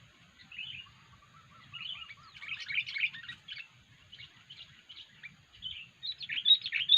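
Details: Sooty-headed bulbul giving an unusual sound, recorded as a lure for catching bulbuls: bursts of bubbly, scratchy chatter that come and go, growing louder toward the end, over a faint low rumble.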